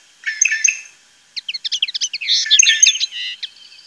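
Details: A European goldfinch near Tablas de Daimiel and Villarrubia on the La Mancha plain, Spain, sings a rapid, tinkling jumble of high, liquid twitters and buzzy notes: a brief burst, a pause, then over two seconds more.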